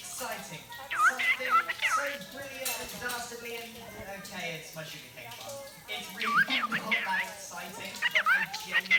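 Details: Pet cockatiel indoors, vocalizing while the TV plays: two bursts of quick whistled chirps that rise and fall, mixed with steady TV speech and music.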